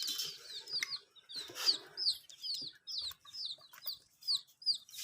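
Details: Domestic chicks drinking water, clear loud high peeps that slide downward, repeated a little more than twice a second, with some rustling early on.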